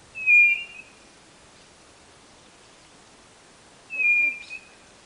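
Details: Two loud, steady whistles from a quail of northeastern Brazil, each a level pure note lasting about half a second, spaced nearly four seconds apart over quiet hiss.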